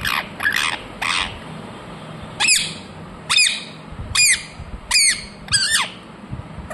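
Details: Ringneck parrot, a talking parrot, letting out loud, piercing squawks, three rough ones and then four sharper downward ones, each under half a second, spaced about a second apart.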